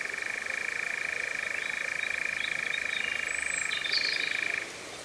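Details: Churring of a European Nightjar, the year's first for 2026, at Cefn Ddu forestry in North Wales, UK, recorded via drop rig with a Zoom F3 and Clippies. A continuous, even, purring trill stops abruptly near the end. Scattered faint high notes sound above it.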